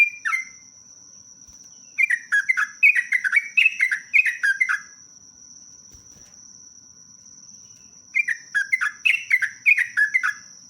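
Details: Sooty-headed bulbul giving a lengthy rapid song in a lure recording. Brisk strings of slurred, falling whistles come in phrases several seconds long, separated by brief silences, over a constant thin high whine.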